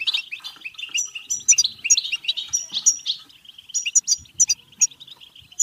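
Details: European goldfinch bitbita song for encouraging goldfinches to sing and breed: an unbroken, rapid stream of chattering twitters and tinkling high notes, slightly quieter toward the end, with occasional soft low thumps.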